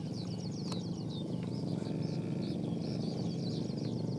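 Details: Trapped fighting skylark from Phú Yên, Vietnam, singing a fast stream of high chirps and trills against a loud droning engine-like rumble.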